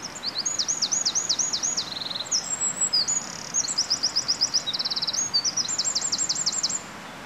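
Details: A Eurasian wren sings early in the morning, ignoring the nearby recordist, pouring out a loud, rapid, high-pitched song of shifting trills and rattling notes at breakneck pace over faint background hiss.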